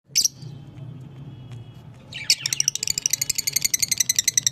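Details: Lovebirds chirping: a sharp high chirp, a pause, then a rapid run of bright, shrill chirps repeated several times a second, with a low background hum throughout.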